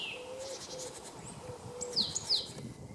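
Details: Male Great Tit recorded in March 2015 at Jarun, Zagreb, Croatia, giving a few high, quickly falling whistled notes in close pairs near the end, over a steady low hum.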